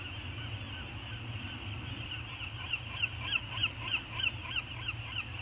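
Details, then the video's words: Two peregrine falcons, likely a pair, circling each other on a morning at Anacapa, California, chatting; a run of sharp, evenly repeated calls about three per second over a steady low hum and a constant high background tone. "Anacapa Peregrine falcons; morning circle chat."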